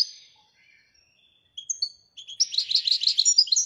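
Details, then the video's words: Marrakech goldfinch singing in the Widaniya song style: silence at first, then from the middle a fast, high twittering of tinkling notes and buzzy trills that grows denser toward the end. "الحسون المراكشي لغة الويدانية"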